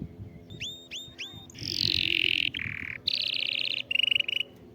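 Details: Canary song for stirring a silent canary to sing: three upslurred whistles, then a descending buzzy roll, a low rattle, a high pulsed trill and a short rapid burst, over low background rumble.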